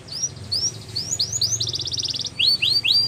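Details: Canary song used for training young birds: a run of upward-sweeping whistled notes, then a fast buzzy trill, then more rising whistles, all bright and high, with faint low hum beneath.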